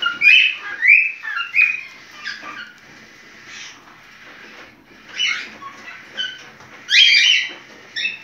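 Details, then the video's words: Cockatiel in breeding condition calling: repeated bright, warbling chirps in quick bursts, a pause, then another lively series of rising and falling notes. "Sultan papağan kızışma sesi cockatiel parrot heart sound"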